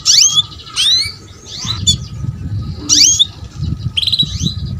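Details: Female canary coaxing a male to sing, a training lure for young canaries: bright chirps that slide downward, some doubled, with a brief buzzy note, repeated about once a second over low background noise.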